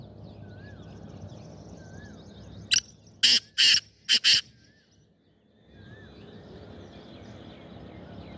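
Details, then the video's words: Black francolin calling, recorded 25 April 2024: a short series of five harsh, grating, broadband bursts in under two seconds, the first brief and the rest longer and paired, over a quiet background with faint soft distant whistles. "Kala Teetar Sound"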